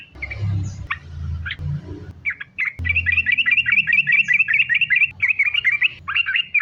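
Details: Sooty-headed bulbul lure song: a few scattered chirps over low rumbling noise, then a dense, rapid chain of repeated bright notes running to the end.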